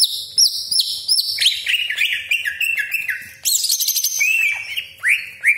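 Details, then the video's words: Greater green leafbird singing a lure song meant to provoke other leafbirds, full of sharp 'tembakan' shots and harsh rasps: high whistled notes that slide up and down, sharp upward flicks and dense rapid chatter, loud and continuous. "CUCAK IJO GACOR DOR TEMBAKAN TAJAM BESETAN KASAR ROLL PANJANG FULL ISIAN"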